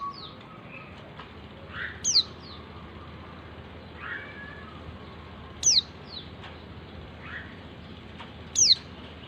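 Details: Female white-eye calling to the male, a small bird about 11 cm long. Thin, sharp, high downslurred notes come roughly every three seconds, with fainter short notes between them, over steady background hiss.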